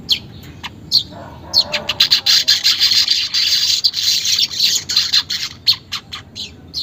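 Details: Caged-bird stimulation recording of a weaver: a few scattered sharp notes open, then a continuous high sizzling, buzzy warble for about three seconds, then quick chips that trail off.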